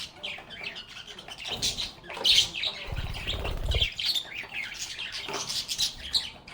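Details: Budgerigars chattering and playing: continuous high chirps and warbles, with a short, low fluttering rumble in the middle, possibly from wingbeats.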